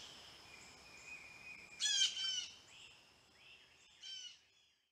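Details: Blue jays approaching a birdbath give a quiet thin note followed by a sudden harsh, harmonic call and a second burst a couple of seconds later, fading out at the end.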